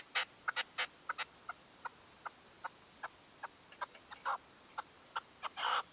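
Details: A decoy red-legged partridge at a dawn hunting post, 2023, gives spaced, clipped notes that speed up in places. Harsher, longer calls open and close the run.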